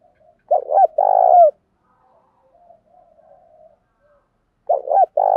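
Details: Decoy spotted dove cooing to lure wild doves, changing its phrases continuously: a low phrase of two short quick coos followed by a longer, buzzier coo, given twice with a faint soft coo in the pause. No other sounds.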